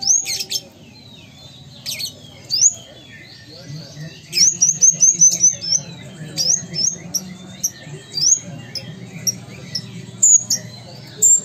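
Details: A Sumatran ruby-cheeked sunbird sings very high, thin, sharply upslurred notes mixed with quick chattering runs and a brief rapid trill, with a faint low hum underneath.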